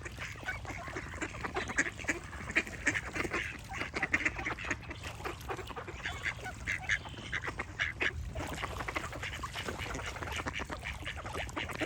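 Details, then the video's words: Long stretch of duck quacking, many short nasal calls piling up in an unbroken chorus with occasional louder quacks, over a constant low-pitched rumble. "Relaxing Duck Quack Sound Effects"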